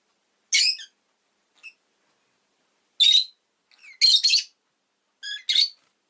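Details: Pet rosy-faced lovebird giving harsh, buzzy chirps high in pitch, in short bursts and doubled notes spaced irregularly over several seconds, with quiet gaps between.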